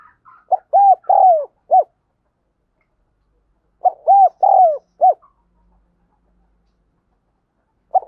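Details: Cooing spotted dove from a lure and training recording: two soft phrases of three or four rounded coos, about three seconds apart, with a stretched, falling middle note and quiet in between.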